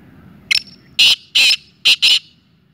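Black francolin giving its harsh, grating call: a short clipped note, then two loud rasping notes, ending in a quick double, all within about two seconds.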